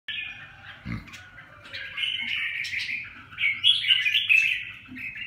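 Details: Red-whiskered bulbul singing: varied warbled phrases of chirps and short whistles, with a brief low thump near the first second and faint low background hum.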